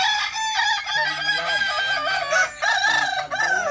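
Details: Brief, dense burst of Kukuak Balenggek crowing at a practice contest in Sawah Lunto: loud, harmonic crows from several roosters with wavy, undulating notes that run without pause through the whole stretch.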